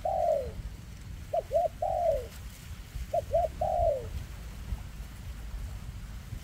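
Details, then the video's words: Spotted dove with a leg tremor in 'kèm rước' cooing: an opening falling coo, then two phrases each of two short clipped notes followed by a long descending coo, then quiet low hum. "Chú Chim Có Tặt Có Tài , Siêu Phẩm 2024 Kèm Rước Siêu Dầy ( Chim Bị Rẩy Giò )"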